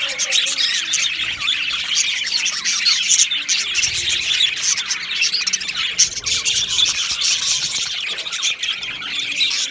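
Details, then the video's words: Budgerigar colony calling in an aviary: dense, unbroken high twittering and warbling from many birds, a few louder squawks over the chorus. "Australian Budgie Chirping Sounds"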